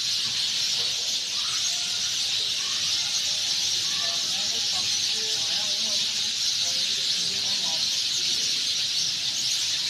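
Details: Many Sind sparrows chirping from their tree nests at dusk, a thick, steady high-pitched chatter, with faint low tonal voices drifting underneath.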